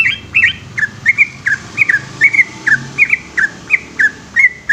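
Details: Yellow-vented bulbul singing a long, rapid ropel song at night: a steady run of short, liquid whistled notes that bounce up and down in pitch, roughly three per second, with soft low background hum.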